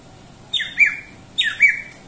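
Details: Two harsh, buzzy squawks from a greater green leafbird, each a double note sliding down in pitch, about one second apart.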